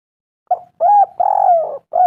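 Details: Spotted dove song to lure doves into calling: a clipped opening note, a level coo, then a long drawn, wavering coo and another starting, all low and soft on a silent background.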